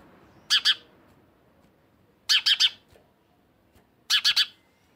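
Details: House sparrow giving short groups of two or three harsh, buzzy chirps, each group separated by nearly two seconds of quiet, with low background noise.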